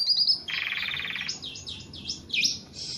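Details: Tame Javan pied starling in full song: a high whistle, a buzzy, rattling stretch of about a second, then quick looping whistled notes rising and dipping.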